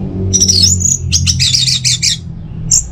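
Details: Caged orange-headed thrush at home in Singaraja, North Bali, delivering semi-doyong teler song: a sweet high slurred whistle, then dense scratchy chattering phrases, ending with one bright whistled note, with faint low background hum.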